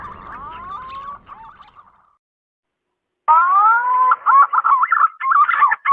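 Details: Male green pigeon calling for a female, used as a lure: warbled whistles trail off into a pause, then a rising whistle with harmonics leads into rapid, yodelling whistled notes.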